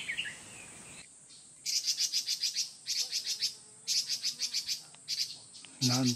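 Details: A red-billed leiothrix in summer woodland gives rapid runs of harsh, buzzy chattering notes in short repeated bursts, possibly calls rather than song.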